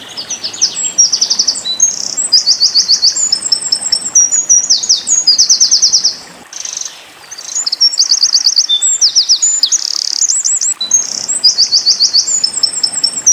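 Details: Eurasian wren, called Winter Koning, singing a loud, very high, rapid song of fast trills and dry rattling bursts that runs almost continuously, with a short break near the middle. It is used as training song for caged white-eyes.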